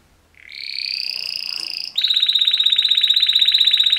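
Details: Two male canaries in mating song: a steady, sustained high whistle-like tone for over a second, then a rapid metallic rolling trill of about four pulses a second over a clear background.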